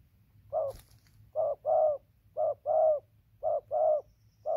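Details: Spotted dove, a freshly caught wild bird, calling steadily from tree down to the ground, 15 November 2020: mellow paired coos, a brief note then a fuller sustained one, repeating at a regular pace, with a soft click and light background hum.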